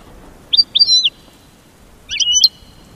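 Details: High, sweet phrases from an American goldfinch: a cluster of slurred whistled notes, a pause of about a second, then a second jumbled twittering phrase with a sustained bright tone.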